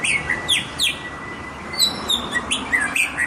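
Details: White-rumped shama from Indonesia in full, lively song: a rapid run of varied clear whistles, sharp downslurred notes and chirps, repeated every half second or so, over a faint steady background hiss.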